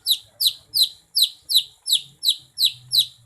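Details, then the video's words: Greater green leafbird (cucak ijo), a kept songbird valued in singing contests, singing actively: crisp, high whistled notes, each sliding quickly downward, repeated very regularly about three times a second in a quiet setting. "Gacor,, Kicau Burung Cucak Ijo"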